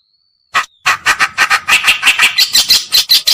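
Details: Lure call of reed warbler, kerakbasi or cikrok, white-browed or black-browed: a faint thin whistle, then an accelerating rattle of harsh chak notes, about three per second, growing denser toward the end.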